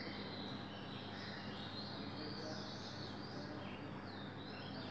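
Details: An Oriental magpie-robin sings at 5 am on April 24, 2020. Short clear whistles and warbled notes run back to back above a constant low drone of environmental noise.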